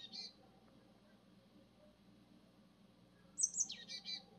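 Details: Japanese tit giving one high, thin phrase that drops from sharp piercing notes into lower chattering notes, with a short fragment at the start, over quiet low background hum.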